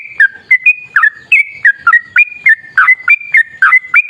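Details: Sooty-headed bulbul, called trucukan, singing in 'gacor' style as a lure for other bulbuls: clear whistled notes that step up and down, alternating higher and lower, about three each second.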